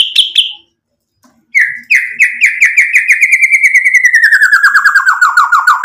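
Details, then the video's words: Murai batu, the white-rumped shama, singing as a lure to make other birds answer: two quick high notes, a pause, then a long rapid trill that slides steadily downward in pitch over four seconds. "MURAI BATU GACOR buat PANCINGAN agar BUNYI NYAUT emosi BONGKAR MATERI ISIAN | SHAMA BIRD"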